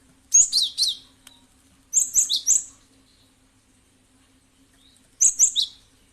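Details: Cinereous tit (gelatik batu) lure call for prompting other birds to respond: three clusters of three quick, sharp, high chirps, the first two close together and the last after a longer pause.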